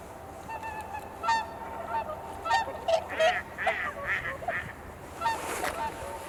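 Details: Swans at dawn on Kotoku-numa pond, Japan, during the blue hour: a flock gives overlapping honks and short nasal calls, with wind noise and some nearby murmuring voices in the background.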